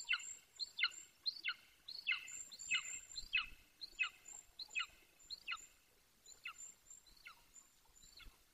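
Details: Young golden eagle, a male 18 weeks old, in Bucovina on 9.6.21, calling close by the nest he no longer visits. A long run of about thirteen harsh, downward-sweeping yelps repeats briskly, then gradually weakens, with a thin high whistling tone throughout.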